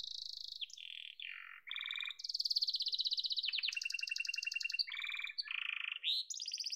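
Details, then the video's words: Song of a yellow domestic canary: continuous chain of fast buzzy rolls and rattles, jumping between high and lower pitched tours, fairly quiet. "Muhteşem Kanarya Sesi: Sarı Kanarya'nın Efsanevi Ötüşü"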